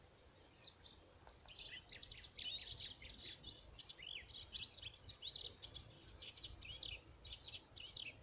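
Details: Melodious warbler singing on 17 April 2017, a fast, continuous babble of high chattering and scratchy notes with quick twittering phrases, over faint background hiss.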